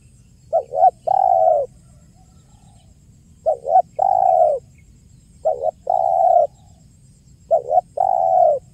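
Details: Lure recording of a spotted dove in the 'kuk 1' style: a brief double note followed by a drawn-out, even coo, repeated four times about every two seconds against a quiet low rumble.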